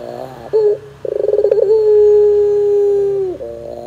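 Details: Barbary dove, puter pelung type, used as a singing lure. A short coo is followed by a quick run of rapid pulses that smooth into one long, sustained, slightly falling note lasting about two seconds.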